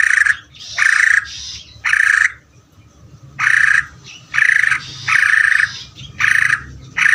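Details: Greater green leafbird singing in the ngeder style: loud, harsh, buzzy bursts with a rich, ringing tone, each about half a second long and repeated roughly every second, with short quiet gaps between them.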